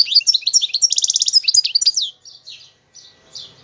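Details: Algerian goldfinch delivering a dense run of high twittering notes with a rapid trill in the middle, trailing off into a few soft, scattered chirps.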